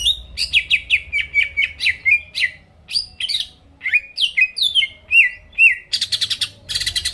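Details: Greater green leafbird singing energetically as bait for rival birds: rapid series of descending whistles and chips, ending with two harsh buzzy rattling bursts, low hum in the background.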